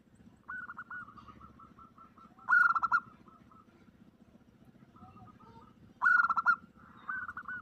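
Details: Zebra dove female calling a male in an omyokan lure: quick trilled coo phrases, two loud, rough, stuttering bursts about three and a half seconds apart, and softer notes in between over a low hum.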